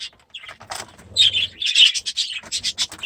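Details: Young budgerigars, released this season into a new aviary, giving quick high chirps and scratchy chatter in rapid bursts, mixed with soft wing flutters.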